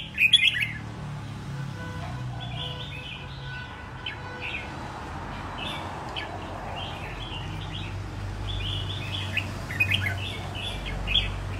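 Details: Wild-caught Red-whiskered bulbul in a cage after a year of keeping, ready for competition, gives repeated clipped chirpy phrases over a steady low rumble of background noise.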